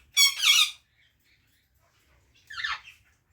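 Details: Parrot squawking twice, a loud harsh buzzy call followed about two seconds later by a softer, lower squawk, with faint low knocking sounds in between.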